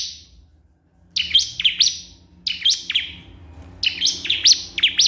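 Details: A bar-winged prinia calls a rival after a short silence. It gives three bursts of high, piercing, downward-flicked notes, two or three notes to each burst.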